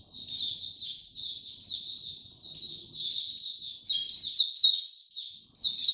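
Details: Caged Oriental white-eye easing into its opening song, 2 May 2022: a continuous stream of high twittering notes about two per second, turning louder and busier in the second half.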